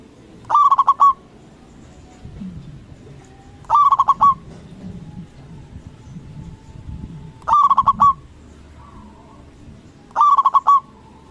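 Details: Zebra dove of local stock, loud-voiced and used as a lure for rival doves, delivers four cooing phrases at intervals of about three seconds, each a quick run of short notes ending in a held coo, over faint low background sounds.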